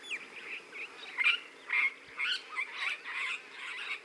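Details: Regent parrots giving a run of rough, scratchy squawks about every half second, some brief and clipped, others drawn out and grating, against a quiet hissing background.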